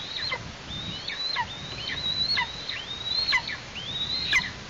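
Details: Eastern imperial eagle nestling in Tatarstan, August 2023: a steady run of five piercing whistles, each climbing then plunging downward, evenly spaced about a second apart, with light background hiss.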